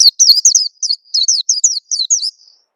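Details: Oriental white-eye lure call meant to make young birds sing: a brisk string of high, slurred chirps and short warbled notes, fading out at the end, with a quiet background.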